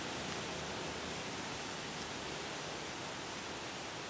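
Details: Steady broadband hiss fills the whole recording with no animal calls standing out.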